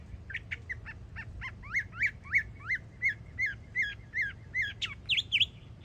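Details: Young Northern mockingbird, a yearling, singing in Florida: a varied run of repeated rising and falling whistled phrases, each note type given several times in quick succession, with a low hum of background noise.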